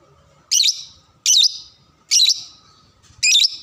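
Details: Lovebird singing as a training model for young birds: four loud, shrill, high chirps spaced about every 0.8 seconds, each with a short trailing buzz, over faint low background hum.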